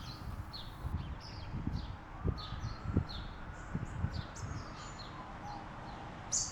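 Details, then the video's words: A very vocal House Sparrow in Adelaide Botanic Gardens, South Australia, in an urban setting, gives a steady run of short, bright chirps, several a second, over low wind rumble and faint background bird notes. "it's a very vocal house sparrow"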